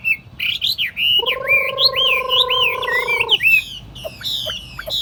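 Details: Caged Chinese hwamei kept as a tame table bird, giving quick looping whistled phrases over a steady low humming drone. Scattered sharp chips follow once the drone stops.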